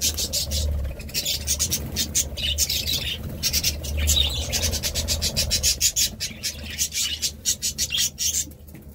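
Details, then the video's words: Continuous budgerigar chatter of fast, high, rasping chirps and warbles throughout, with a low hum underneath. "Budgie Sounds"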